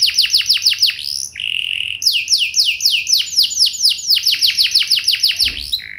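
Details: Canary song used to prompt other canaries to sing back, quick series of falling whistles, a brief steady buzzy note, then long fast runs of repeated downslurred whistles.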